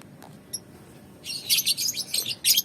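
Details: Young lovebird (balibu, under five months) being sunned outdoors; after a quiet start with a single thin chirp, harsh buzzy high chattering bursts pour out in quick runs, loud and scratchy, ending in a final hoarse burst.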